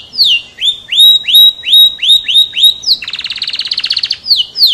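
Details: F1 canary in full song: a string of quick rising whistled upslurs, about eight in a row, breaking into a fast rattling buzzy trill, then sharp falling whistles to finish; high, clear and loud.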